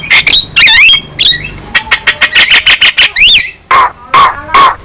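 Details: Young Javan myna, kept bird, singing actively while bobbing its head: harsh squawks, rising whistled slurs and a fast run of short buzzy notes, then three lower drawn-out nasal calls near the end.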